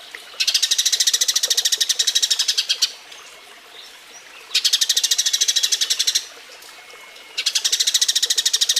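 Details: Tree sparrow (Eurasian) in mating mode, used as a training recording for other birds: three long, fast trains of sharp chirps, each lasting two to three seconds, with short hushed pauses between them.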